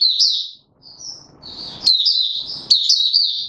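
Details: Opening song of a male white-eye being pushed into form, 31 December 2021: a high twittering phrase, a short soft whistle, then rising bursts of sharp chattery warbles over faint low rustling.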